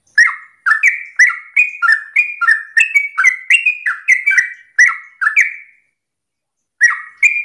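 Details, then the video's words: Sooty-headed bulbul giving a morning 'ropel' song meant to set other birds singing: a long string of rapid bubbly whistles, each dropping in pitch, then a pause of about a second before a short restart. "Pancingan trucukan gacor ropel pagi hari trucukmu pasti langsung nyaut"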